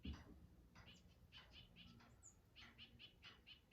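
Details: A Black-crested Titmouse, one of two or three in a small mixed flock in Chaetura Canyon, Texas, in mid-October, gives its loud, distinctive call after soft contact notes: short, harsh, buzzy notes repeated about every quarter second, over a low rumble.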